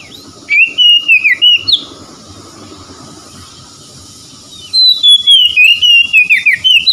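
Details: Whistled Oriental magpie-robin (kacer) song meant to coax stressed birds back into full song: a choppy phrase of bright slurred notes, a two-second pause, then a longer run of rising and falling whistles.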